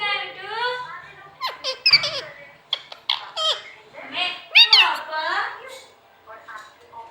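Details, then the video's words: Talking green parrot, a pet kept indoors, gives a run of squeaky, rising and falling harmonic chatter and squeals with short sharp clicks between, while its owner speaks softly nearby. "Parrot sound Bolne wala totha talking Parrot"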